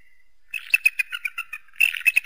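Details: Eagle calling with a fast run of sharp, high chirping notes, some clipped and some slightly drawn out, in two bursts separated by a brief pause.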